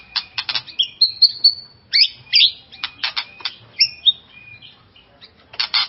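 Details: White-rumped shama song used to rouse another caged shama: fast sequence of clear whistles, sharp upslurred notes and short chattering bursts, varied phrases with brief gaps.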